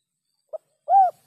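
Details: Spotted dove, 'kuk 3' style: a brief soft note, then after a short pause a single drawn-out mellow coo that rises slightly and falls away.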